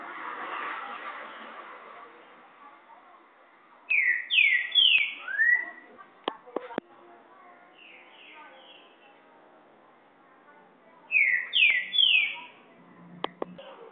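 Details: Green-winged saltator singing a "boiadeiro"-type song: rich, slurred whistled phrases of three or four notes, repeated three times over several seconds, with faint background noise and a few clicks.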